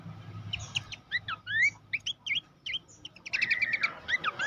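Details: Horsfield's babbler master song for training contest birds: quick series of sharp chirps and upward-slurred whistles, irregularly spaced, ending in a dense, rapid trill-like burst of notes over a low background hum.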